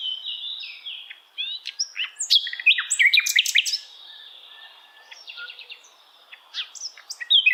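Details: Asian brown flycatcher (sikatan londo) tutor song for training songbirds: thin high whistles and quick slurred notes, then dense twittering bursts, a quieter stretch of soft chips, and a closing rush of sharp notes.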